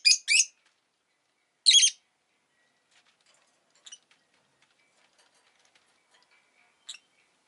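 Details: Rosy-faced lovebird giving short, harsh, high chirps: two quick bursts at the start, another about 1.7 seconds in, then faint scattered notes and a final brief chirp near the end; quiet background otherwise.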